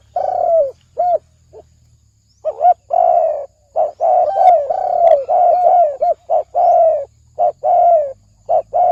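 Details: Spotted dove cooing fast in the thổ ồm vang style. Loud low coos and short arched notes run almost continuously, overlapping in a dense stream over a faint low hum.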